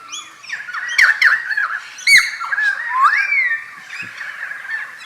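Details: Pied currawong recorded late morning in July 2019 at Carnarvon Gorge, Queensland, Australia: a run of ringing, gliding whistled notes with rising and falling slurs, mixed with rough squawks and brief clicks.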